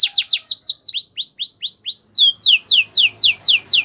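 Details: Belgian canary singing a fast series of bright rising-then-falling whistled notes, about four per second, shifting into higher swooping notes halfway through; faint low background hum.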